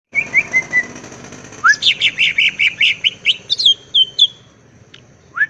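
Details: Greater green leafbird (cucak ijo) singing in the lively gacor style with nembak and ngetrok phrasing: thin high whistles, then a fast series of about a dozen bright chopped notes, a brief falling whistle and a rising slur to close.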